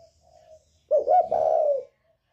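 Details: A single phrase from a northern-type spotted dove in the 'còi bổi' voice, kept for provoking other birds: a faint low coo, then a loud stuttering burst that settles into a steady, throaty coo lasting about a second.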